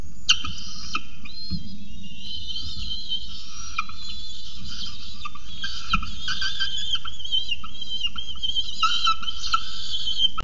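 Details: Very hungry falcon chicks at Orange demand dinner on 26 October 2018. They keep up continuous, overlapping high squeals and strained whining notes with no pause, over a steady low rumble.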